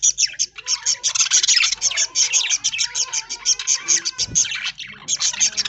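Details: Flock of aviary budgerigars fed corn in green leaves in the early morning, chattering in fast repeated high chirps with a few thin whistles running underneath and a short low thud near the end.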